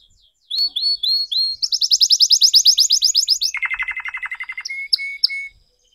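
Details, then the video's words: A red canary still learning its song gives a few rising whistled notes, a fast high trill, a lower pulsed trill, and finishes with short sharp whistles before falling silent. "Kenari Merah Merona Belajar Gacor Berkicau"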